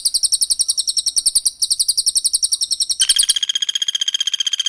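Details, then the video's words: Cililin against Velvet-fronted Nuthatch, a tutoring recording for cage songbirds: a high, sharp, rapidly repeated trill with a brief break, shifting near the end into a lower, quicker steady chatter. "TEMBAKAN RAPAT CILILIN VS PELATUK BAWANG"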